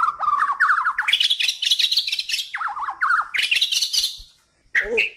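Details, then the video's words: Kalimantan white-rumped shama singing actively as master song material: a wavering mid-pitched warble climbs into loud high chattering phrases, repeats the rising zigzag warble, then falls silent before a brief final call. "SUARA KICAUAN BURUNG MURAI BATU KALIMANTAN HAJI MAHKOTA GACOR COCOK BUAT MASTERAN"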